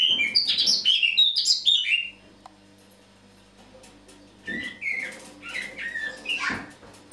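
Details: Eurasian blackcap singing on an autumn morning, 1 October 2017: a burst of loud rich warbling for two seconds, a quiet gap, then softer twittering phrases and slurred whistles resume.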